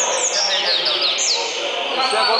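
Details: Tournament double-collared seedeater in song: quick series of high, sharp descending slurs and short whistled strokes, delivered in bursts, against steady broadband noise and nearby male speech.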